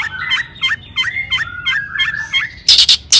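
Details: Long-tailed shrike song meant to stir other shrikes into singing: a steady string of looping whistled phrases, each dipping and rising, closing with loud harsh rasping bursts.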